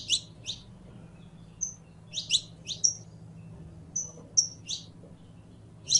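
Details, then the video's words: Canario criollo (saffron finch) song of paired buzzy chirps in short bursts, broken by clear high whistled notes held briefly, spaced unevenly across the stretch; soft low hum underneath. "CANTO DE CANARIO CRIOLLO CANTANDO"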